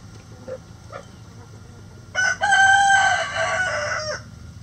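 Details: Chicken, a flock with a Golden Sebright rooster among the hens, loud drawn-out harsh crow lasting about two seconds after a few soft clucks, over a low steady background hum.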